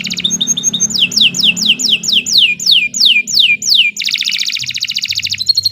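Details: Kenari Nusantara canary singing energetically for training other birds; a series of about ten loud downward-swooping whistles, roughly one and a half per second, breaks into a fast, dense buzzing trill.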